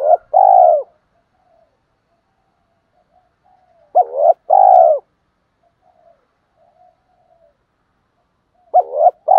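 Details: Spotted dove, male and female birds, calling to provoke and stir other doves into cooing: short bursts of low, hollow coos grouped into phrases, with long silent gaps between them and faint soft cooing in the background.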